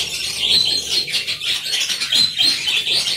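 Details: Budgerigar colony kept in an aviary, many birds chattering at once: dense, high-pitched overlapping chirps and warbles running continuously, with small swells and dips in loudness throughout.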